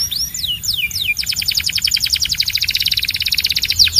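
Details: Belgian canary singing: a few slurred descending whistles, then a long rapid rattling trill of evenly spaced notes, ending in sweeping whistles.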